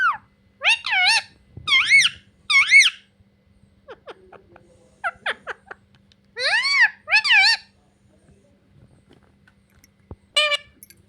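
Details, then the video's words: Pet parrot mimicking "mummy papa"; clusters of two or three bright, bending, speech-like syllables separated by pauses of a second or more, a faint steady hum underneath, and one last short call near the end. "मम्मी पापा बोलने वाला तोता taking parrot"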